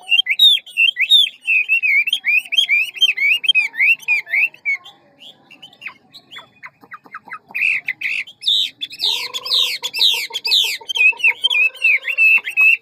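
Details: Hwamei singing ngũ trường style in a quick, varied forest voice: a long string of rapid wavering whistles, a pause with soft clicks, then loud buzzy, rippling phrases over lower repeated notes.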